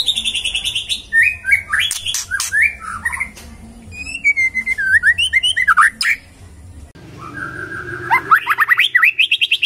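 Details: Magpie-robin in energetic, rich song: a continuous string of varied slurred whistles, trills and sharp scratchy notes, with a long run of rapid rising whistled phrases near the end.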